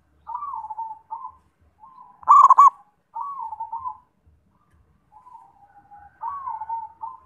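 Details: Several doves cooing: softer, drawn-out descending coos repeat throughout, broken once by a loud, quick burst of rolling notes from a nearer zebra dove.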